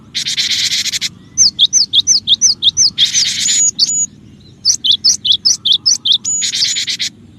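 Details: Cinereous tit (gelatik batu), a vigorous lure recording for attracting other birds: loud harsh buzzy bursts alternate with rapid series of high, sharply descending whistled notes, about eight per run, fairly quiet low background.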